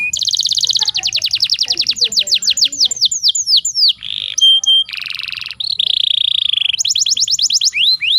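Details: Lure sound of a female canary in breeding condition to make males sing: a fast high trill, drawn-out descending chips, a buzzy roll and harsh grating burst, then renewed rapid trilling.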